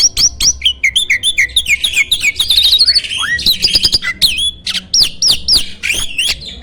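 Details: Competition-champion starling used as a master for training songbirds, with rich song fill and a loud voice: a continuous rush of rapid chattering, squeaky upslurred whistles and harsh buzzy notes, delivered without pause.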